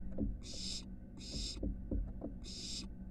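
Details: Barn owl nestling at a nest box attached to a University of Florida building, exploring from porch to roof, recorded by a live nest box camera: three harsh, breathy hissing bursts about a second apart over a steady low hum and soft knocks.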